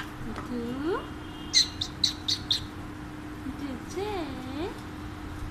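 An Alexandrine parakeet talks in two short, rising-and-falling speech-like phrases, broken by four sharp, high chirps in quick succession.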